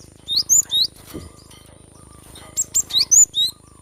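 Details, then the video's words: Cinereous tit in energetic song, played to stimulate birds that are reluctant to sing: two bursts of high, sharp, rising and falling whistled notes, three or four quick notes each, separated by a short pause over a faint steady hum. "Gelatik batu gacor"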